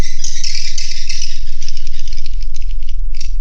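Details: Swiftlets in a swiftlet building: a dry, buzzy rattling twitter that runs on without breaks and slowly fades and breaks up toward the end, with a low continuous hum underneath.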